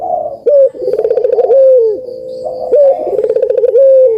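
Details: Barbary dove cooing as a lure for silent puter doves: two rolling, trilled phrases, each tailing off in a smooth falling note, separated by a short steady hoot.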